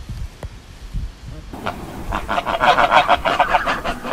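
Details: Farm goose calls: after a low rumbling start, a rapid, steady series of nasal honks begins and builds, about three or four per second, growing louder toward the end.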